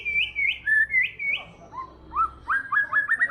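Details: White-rumped shama (murai batu) singing busily: a run of bright upslurred whistles, then lower swooping notes, building into a rapid chattering series of rising whistles.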